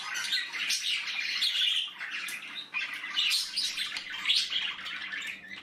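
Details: Nestling budgerigars producing a steady chorus of raspy, wheezy chirps and squawks, swelling in waves every second or two, with a soft low electrical hum.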